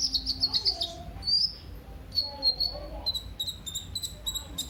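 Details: Sunbird known as kolibri ninja, sung as a lure. Fast high trilled notes open, followed by drawn-out thin whistles and then rapid ticking chips.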